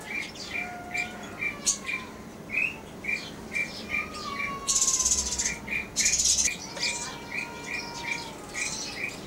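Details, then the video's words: Pair of grey francolins in South Asia: short sharp notes repeated steadily about twice a second, with faint drawn-out whistles below and loud buzzy insect-like bursts in the middle. "Grey Partridge couple"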